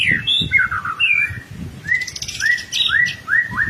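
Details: White-rumped shama singing gacor-style as a lure for young birds: a few looping whistles, then a series of short rising-and-falling slurred notes repeated about every half second. A faint low background rumble runs throughout.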